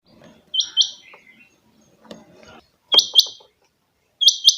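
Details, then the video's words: Kept rain quail, locally called chinga batair, giving bright paired metallic notes, each double call spaced about one and a half seconds apart, with faint low rustling and small knocks between calls. "my rain quail sound effect chinga batair ki awaz"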